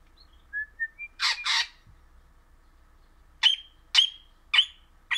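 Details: Crimson rosella, orange Pennant form, described as a happy singing parrot: a few soft short whistles rising in pitch, two harsh broadband squawks, then four sharp high clipped notes repeated about every half second over a quiet background.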